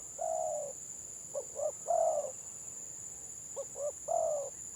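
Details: Village spotted dove in 'gagap' stutter style: one long coo, then a pair of quick clipped notes and another long coo, the phrase heard twice, over a steady high whine.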